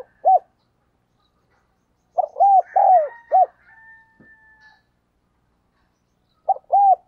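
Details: Spotted dove used as a decoy, calling hard to attract wild birds: short coos, then a full phrase of four low arched coos followed by a faint, long, level tone, and a new phrase opening at the end.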